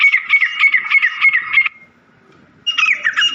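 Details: Black francolin giving harsh, grating, rapidly repeated notes, about six per second, for over a second; after a short pause the rasping series starts again.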